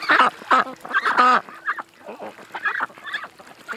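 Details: At a creek, ducks give loud, drawn-out nasal honking calls in a burst of four at the start, followed by softer, more broken calls.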